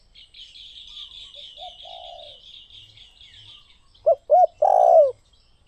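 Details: Spotted dove giving one coo phrase near the end: two quick hoots, then a long rolled coo. Before it, another bird sings a continuous high, twittering trill.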